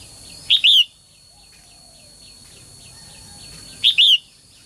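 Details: Female bird calling to draw males into lively song. Two calls about three seconds apart, each a sharp short note followed by a longer falling whistle, with soft ticking in the background.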